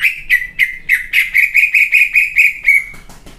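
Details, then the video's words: Greater green leafbird, a singing competition bird, delivering a run of about ten loud, rich whistled notes repeated quickly, each with a downward flick, ending in a sustained whistle and scratchy notes. "CUCAK IJO JUARA NEMBAK ISIAN KASAR FULL GACOR"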